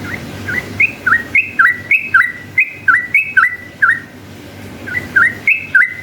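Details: Yellow-vented bulbul in full, long song, used as a lure to provoke rival bulbuls into answering; short liquid whistled phrases with quick up-down twists, delivered in a rapid bubbly series with a brief pause midway, over low background rumble.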